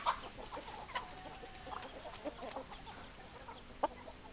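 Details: Chickens clucking in scattered short notes, with a few sharper, higher squawks standing out against quiet background chatter from the flock.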